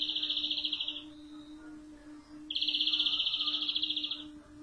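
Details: Rapid high-pitched trilling from a European greenfinch, in two bursts separated by a quiet gap of about a second and a half; the second trill is longer and slightly louder. A constant faint low hum is present.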